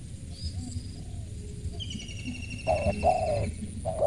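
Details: Spotted dove noted for its crisp voice. Near the end come two short coos and a longer one. Before them, high thin whistles from other birds are heard over a low background rumble.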